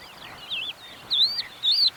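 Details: A crested lark sings close by in the Manych steppe on the early morning of 23 April 2024, despite gusty wind. It gives three clear, slurred, high, sweet whistled phrases about half a second apart, over a soft rush of wind.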